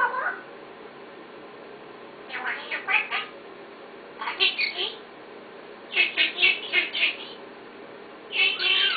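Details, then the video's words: Parrot talking in four separate bursts of quick, buzzy, speech-like syllables, each lasting around a second, with quiet gaps between them. "talking parrot"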